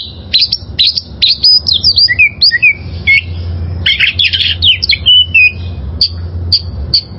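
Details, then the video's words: Wild oriental magpie-robin singing a varied, vigorous song used as training material for caged birds: quick whistled notes, sharp chips and slurred falling phrases, with a dense burst of notes midway, over low steady hum. "Masteran Suara Burung Kacer Liyar...!!!"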